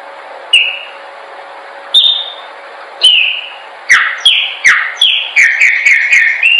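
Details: Chopi blackbird training song: spaced single downslurred whistles about every one to one and a half seconds, speeding into a dense run of sliding whistled notes at the end.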